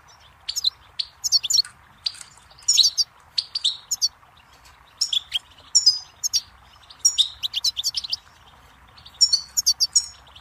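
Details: Goldfinch song, a quick twittering run of high, tinkling chirps and short trills in bursts separated by brief pauses; clean recording with no other sounds.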